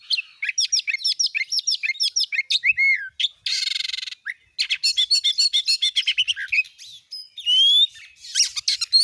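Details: Oriental magpie-robin song played as a lure to get a kept bird singing: rapid varied whistled and chirped notes, sharp upslurs and downslurs, a harsh buzzy burst midway, then a fast run of clipped notes and rising whistles.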